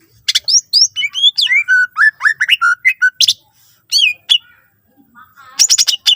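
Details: Energetic greater green leafbird in active song, packed with assorted phrases to spur other leafbirds to sing. Rapid sliding whistles tumble downward in a fast run, then come sharp chirps and a final buzzy, chattering flourish.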